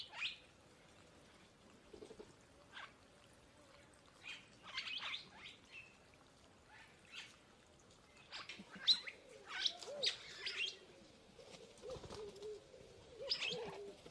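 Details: Purple starling producing scattered harsh, nasal chatter that grows busier and louder toward the end, with quiet pauses between bursts and faint low cooing in the background.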